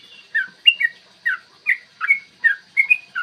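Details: Morning song of a yellow-vented bulbul in the long 'ropel panjang' style used to spur bulbuls into singing and fighting: separate bubbly, slurred whistles, roughly three per second.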